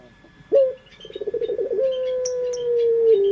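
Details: Pelung-style singing of an Indonesian local dove, played as a lure: a clipped first note, a fast throbbing run of coos, then a long sustained low tone that steps down at the end. Thin high chirps of small birds are audible.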